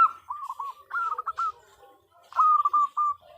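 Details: A female zebra dove calls the male with brief rolling phrases of clipped, slightly falling coos, separated by a short quiet gap before a louder closing phrase.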